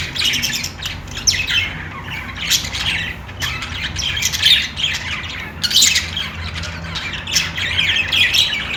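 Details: Budgerigars produce a long, steady flow of buzzy chirps and warbled squawks, with frequent loud peaks, over a faint low-pitched hum.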